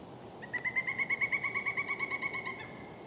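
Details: A male Pileated Woodpecker foraging in a tree in Circle Pines, Anoka County, Minnesota, USA, on 23 December 2019 gives a fast, even run of about twenty ringing wuk notes, steady in pitch, swelling then fading over two seconds.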